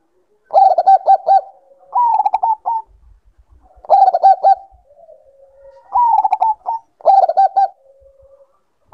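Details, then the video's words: Bangkok-type zebra dove in breeding condition, a cage bird, repeating quick clipped cooing phrases about every two seconds, some starting higher and stepping down, each trailing into a quiet drawn-out purr. "Naikan Birahi Perkutut Bangkok"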